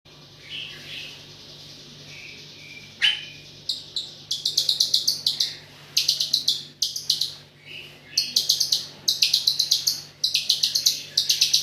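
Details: White-rumped shama in energetic, non-stop singing with 'AK47' filler notes: soft high warbles give way to rapid, rattling bursts of sharp, very high notes, repeated in clusters about four per second. A steady low hum runs underneath.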